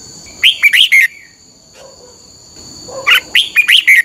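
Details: Red-whiskered bulbul phrases played for training caged birds: two bursts of lively whistled notes, rising then falling, separated by a quiet pause with a soft low chirp, over a continuous high tone.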